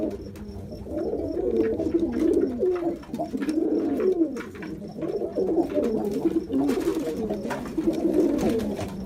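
A Jacobin pigeon gives low, throaty rolling coos, repeated continuously with overlapping phrases, in a small enclosed space.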